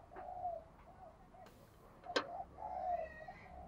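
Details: Spotted dove of the ringing 'giọng đồng kim' or 'đồng chuông' voice style. Soft mellow coos open and close the phrase. Sharp clicks and knocks sound in between, over a steady low background hiss.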